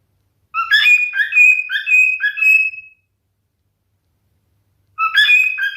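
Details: Male cockatiel whistling a song phrase of short falling notes and long level tones, then silence before another phrase begins.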